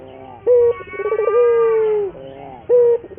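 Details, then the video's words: Lure cooing of a local Barbary dove, used to coax other doves into singing: a brief clipped note, a long wavering coo that settles and slowly falls, then another short note. "pancingan burung puter gacor, melatih burung puter lokal agar cepat gacor"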